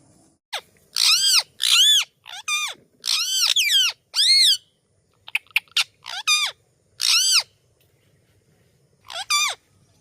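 A parrot gives loud, harsh, arching screeches in quick bursts with brief pauses between them.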